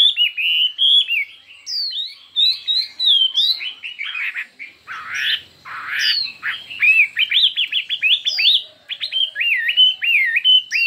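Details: Chinese hwamei contest song, intense and varied: rolling whistled phrases give way to a rapid chattering stretch, ending in a repeated series of sharp, quick up-and-down notes.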